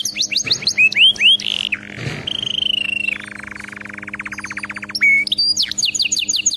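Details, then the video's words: Canary singing to train other canaries: rising whistles, a held tone, then a long even rattling trill and sharp high repeated notes. "صوت كناري مذهل لتدريب وجعل طائرك الكناري يغرد بلا توقف canary singing training bird"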